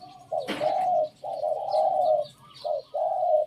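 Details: Decoy Spotted Dove giving a cooing phrase described as not pretty: sustained low coos with a sharp knock near the start, then a short coo and a longer drawn-out one; faint bird chirps above.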